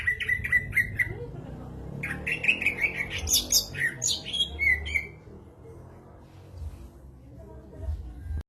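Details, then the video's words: Greater green leafbird singing gacor jamtrok: a rhythmic run of sharp chips, then a tumbling flurry of high squeaky whistles and a falling slur, followed by several seconds of near quiet with low background noise. "burung cucak ijo gacor jamtrok"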